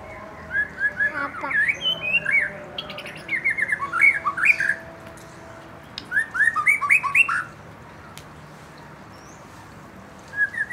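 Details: Young white-rumped shama from the forest and a fledgling, provoked to sing: repeated bursts of fast, varied whistled and squawky notes, loud and rich, separated by short pauses and a quiet final stretch.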